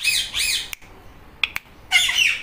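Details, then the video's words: A green Indian ringneck parrot (rose-ringed parakeet) talking, giving two rising-and-falling, meow-like imitations, then a few sharp clicks and a harsh, scratchy squawk. "Green Ringneck Parrot Talking Meow Meow"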